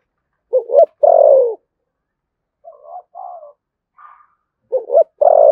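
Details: Spotted dove of the thổ sấm voice style, Đồng Nai, Vietnam, in thúc gù cooing: a rough double note and a long falling coo, then soft low murmured notes and a higher brief note, before the phrase repeats. Clean, quiet background.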